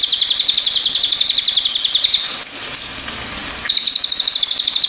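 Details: Pied fantail gives quick, sharp, high chips in steady rhythm, pausing for about a second and a half amid soft noise, then starting again.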